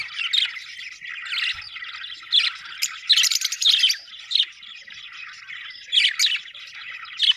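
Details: Budgerigars chirping and warbling, loud sharp chirps and squawks rising in bursts about every second over a constant scratchy chatter, with no other sounds.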